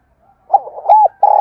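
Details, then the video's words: Spotted dove giving excited cooing used to stir wild doves into calling: soft low murmuring notes lead into a clear arched coo, then a steady held coo begins as the sound cuts off. "cu gáy thúc gù sung nhất// Tiếng cu gáy cực hay dùng kích bổi tập mồi thì khỏi bàn"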